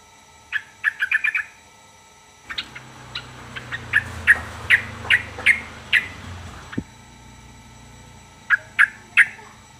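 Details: A series of sharp, clipped chip notes repeated roughly every half second, partly over a low rumbling background noise, which stops before a final pair of notes.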